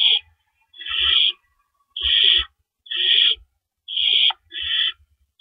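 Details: Owl at a nest before dawn on April 4, 2012, with adults bringing rabbits in and out: harsh, raspy hissing bursts about half a second long, repeated roughly once a second with short silent gaps.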